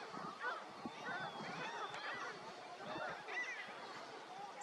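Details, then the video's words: Greater flamingos calling as a group, giving overlapping nasal, goose-like honks and gabbling notes at mid pitch, continuous and fairly distant. "Greater Flamingo, Fenicottero rosa (Phoenicopterus roseus)"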